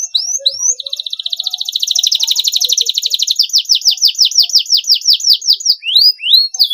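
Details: Short-phrased canary song played to rouse a stressed bird: a couple of sharp rising chips, then a long rapid rolling trill that shifts into slower, evenly repeated downward-sweeping whistled notes, with a few rising chips at the close.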